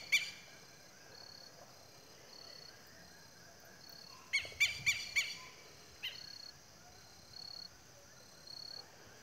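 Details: Southern lapwings at nightfall on a farm near a mountain at sunset, later flying off to roost: loud, harsh, strident notes, one early, then a quick burst of four, then a single call; faint high whistled dashes repeat in the background.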